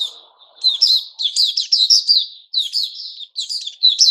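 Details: White-crowned shama, known locally as Puteh Raja, singing during its new-feather season, recorded 6 September 2021: a rapid run of bright, sweet whistled notes with quick slurs and chips, under a faint low hum at the start.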